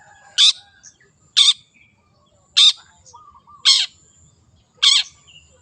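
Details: Wild long-tailed shrike uttering five loud grating calls about a second apart, with soft whistles and twitters between them.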